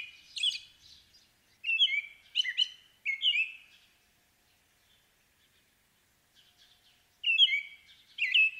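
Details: American robin song in clear caroling phrases of rich rising and falling whistles, grouped in bursts with a short silent pause before the final phrases.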